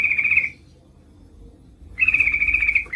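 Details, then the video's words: Female yellow-vented bulbul's lure call to a male: a short rattling trill, a pause of about a second and a half, then a longer fast buzzy trill at steady pitch. "Suara burung trucuk gacor memanggil lawan pancingan trucukan betina memanggil jantan agar bunyi"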